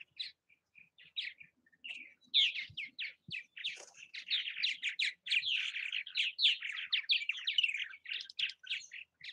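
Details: Purple martins active at bird houses in Southwest Missouri. A few scattered chirps build into a steady, fast run of bubbling, gurgled notes over a quiet, clean background.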